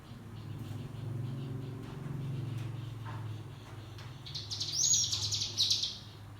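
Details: ['Cigun (white-eye) lure song meant to train young birds to sing in the ngebrem style: a dense, buzzy, rapidly pulsed high trill near the end, preceded by a low steady hum.']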